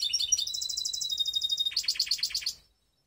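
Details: Mixed canary (hybrid) from Skopje singing: a high rapid trill of repeated notes, then a slower run of buzzy, pulsed notes, ending abruptly after about two and a half seconds.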